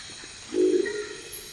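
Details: Crested Owl in the Ecuadorian Amazon giving a single deep, gruff, croaking growl, low-pitched and slightly frog-like, lasting about a third of a second over a steady hum of forest insects.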